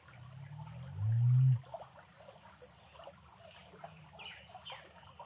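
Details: One deep, humming boom of about half a second from a male Great Curassow, recorded in Costa Rica, rising out of a dense, rushing background, with faint high chirps afterward.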